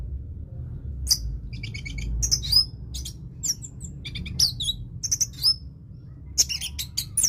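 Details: Orange-headed thrush delivering teler-style song: scattered bursts of thin high chirps, ticks and short slurred whistles separated by brief silences, irregular in rhythm, over a low hum.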